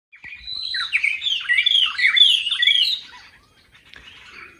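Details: White-browed robin-chat (Heuglin's robin), with quite a number present, singing a rich, fast, distinctive burst of warbled and whistled phrases for about three seconds, then quieter fading notes.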